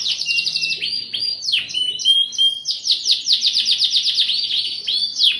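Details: Canary singing in the energetic gacor style, a lure recording with cuit cuit and nembak phrases: high whistled notes, then fast rolling series of sharp downslurred chirps, roughly four per second, with thin high tones above.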